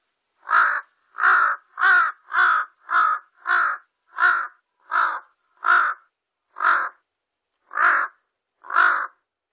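A Large-billed crow gives twelve harsh, hoarse caws, quick at first, about two per second, then slowing toward one per second. No other sounds intrude.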